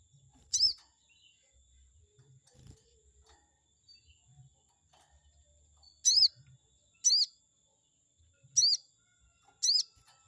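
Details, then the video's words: Lure song of a Chestnut-backed scimitar babbler meant to provoke an opponent: one high arched note, a long pause, then four bright chirps spaced about a second apart, with quiet low rumbles between. "pancingan burung sogon auto emosi || bikin respon sogon lawan"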